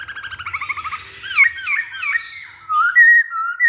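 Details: Masked laughingthrush song played as a lure for other birds: a rapid trilling whistle, then three swooping looped notes, ending in loud, level, clear whistles.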